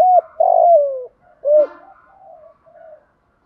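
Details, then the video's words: Spotted dove, locally cu gáy, giving a stimulating 'thúc gù' cooing call used to provoke other doves: a short note, a longer falling coo, a rounded accented coo, then soft trailing notes. "tieng chim cu gay thuc gu cu cuom THÚC GÙ, cu gáy kích bổi giọng hay"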